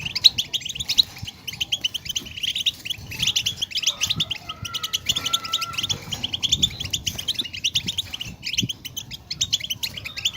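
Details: European goldfinch batbata song to rouse silent caged goldfinches: unbroken rapid chatter of tinkling, buzzy and twittering notes, with a faint sustained tone briefly running beneath the song.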